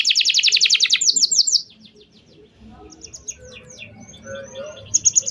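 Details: Canary singing a long lure song to teach young canaries: a loud rapid high trill and a few sweeping notes in the first second and a half, then quiet with scattered faint chirps.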